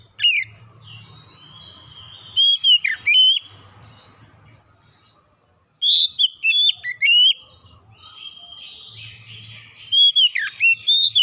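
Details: Oriental magpie-robin song used to lure other birds into singing: two long bursts of rich whistled phrases, sliding and dipping notes mixed with short chips, separated by a quiet gap with low hum.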